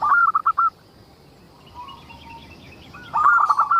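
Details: Local zebra dove singing as a lure for other zebra doves; a fast phrase of about six clipped cooing notes, a quiet stretch with soft low notes, then a denser rapid phrase.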